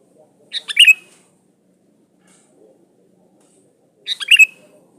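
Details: Sooty-headed bulbul song used as a lure to draw other birds and call rivals. Two short bubbly phrases about three and a half seconds apart, each a quick run of four to five liquid notes ending in a bright slurred whistle.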